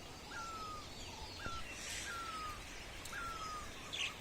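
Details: At sunrise around Dharamshala, a bird gives evenly spaced, clean whistles, each a brief downward slur, four times in quick succession, while faint high chirps and steady ambient hiss fill the background.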